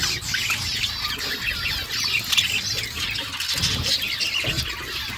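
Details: Budgerigar mother feeding her chicks: dense, continuous scratchy chatter and squawky chirps packed into the upper range, with faint low rustling and thumps underneath.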